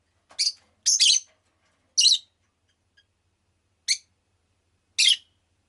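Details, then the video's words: Loud, clean, piercing chirps from a rosy-faced lovebird, a doubled burst followed by single notes spaced roughly one to two seconds apart, against an otherwise quiet background. "Lovebird Chirping Sounds"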